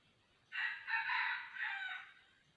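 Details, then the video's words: Red junglefowl used as a decoy bird for trapping wild junglefowl gives one hoarse, drawn-out crow of about two seconds. It rises, wavers through several linked phrases and fades out against a quiet background. "Bẫy gà rừng 2020 bổi 08"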